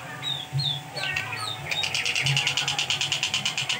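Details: Long-tailed shrike at home, recorded as a training tutor for songbirds: a few slurred whistles lead into a fast, harsh chattering series of even notes, about three per second, over a low background hum.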